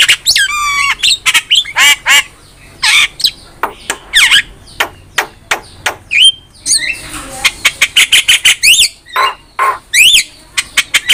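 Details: Javan myna song from a master recording for training cage birds, with rapid harsh squawks, rattling notes and bright whistled slurs packed densely in irregular bursts.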